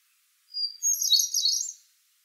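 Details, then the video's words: Single hermit thrush song phrase: a pure, high introductory whistle followed by a quick, shimmering cascade of even higher fluty notes, lasting about a second. "Hermit Thrush Song"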